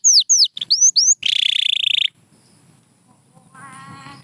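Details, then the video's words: Pure white canary singing: bright downward-sweeping whistled notes, then a dense buzzy trill held about a second, followed by quiet background and a faint lower warbling phrase at the end. "Beautiful Chirping by a Pure White Canary"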